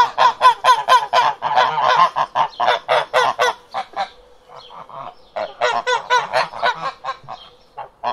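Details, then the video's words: Domestic ducks quacking: rapid series of loud, harsh, nasal calls repeated about twice a second in bursts, with a brief quieter gap midway before the calling resumes. "Domestic Ducks Quacking"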